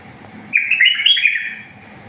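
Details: One liquid, tumbling phrase of wild-style bulbul song, used as a clean model for teaching bulbuls, lasting about a second of quick up-and-down notes over a faint steady hum.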